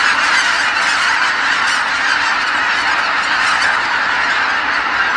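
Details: At Kabukuri-numa marsh, huge flocks of geese return together at dusk once the sun sinks behind the hills, a scene repeated every evening. A massed, continuous clamour of honks, with many birds calling over one another and no gaps.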